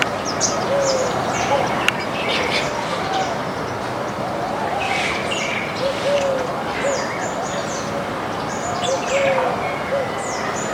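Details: Flock of Baya weavers in a backyard, eating grains: dense overlapping high, thin chirps and short tweets throughout, with soft low whistled notes repeating every few seconds and a steady background hiss.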